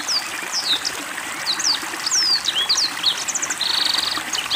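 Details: Captive black-throated canary (Crithagra atrogularis) singing actively during water therapy: a fast, high medley of sweeping whistles, short slurred notes and a dry buzzy trill, over steady trickling water.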